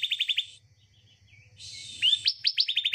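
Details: Bar-winged prinia song used as a lure to prompt a reluctant bird to sing: quick series of sharp chirps repeated about eight per second, then a brief buzzy rasp and a rising note before the rapid chirping resumes.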